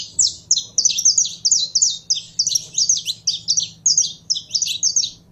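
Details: Saffron finch, a kept bird being warmed up, delivering a steady, energetic series of sharp, high, slightly buzzy chirped notes in quick succession throughout, with a faint low hum behind.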